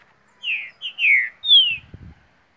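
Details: Green-winged saltator (trinca-ferro) from Mar de Espanha, Minas Gerais, Brazil, singing one loud whistled phrase of four slurred notes, each sweeping downward, the last highest and longest, followed by a faint low thump.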